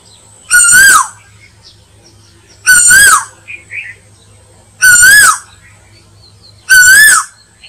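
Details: Asian koel call used as a lure: loud, ringing whistled notes that swell slightly and fall away, repeated about every two seconds, with a faint low hum underneath.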